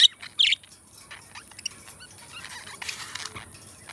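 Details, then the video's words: Two pet budgerigars singing and talking; a couple of loud, harsh chirps at the start, then softer scattered chattering ticks and squeaks fading into background hiss. "2 Hours of Budgies Song -birds sounds - Singing and Talking"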